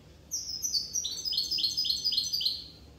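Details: Corsican European goldfinch singing a rapid series of bright, descending whistled notes, roughly four per second, building into a tinkling twitter over about two and a half seconds in otherwise quiet surroundings.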